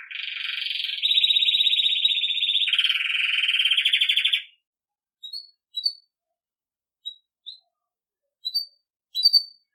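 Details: Campainha-style Belgian canary song for teaching young birds: three steady rattling trills at stepped pitches for about four seconds, then silence broken by brief high chirps.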